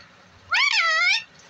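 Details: Ringneck parrot, a talking parrot, giving one drawn-out, harmonic-rich vocal sound lasting under a second that bends up and then levels off. Spoken words are heard just before and after it.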